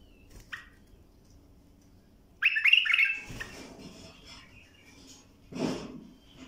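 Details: Bulbul song for teaching young birds: a brief note, then a loud cluster of liquid, slurred whistles trailing into softer twittering, followed by a muffled thump.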